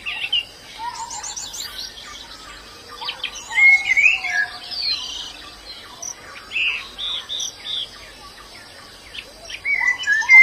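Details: High chattering twitters and sharp chirps of a wild white-eye come in scattered bursts, mixed with other birds' lower notes and a continuous faint insect hum.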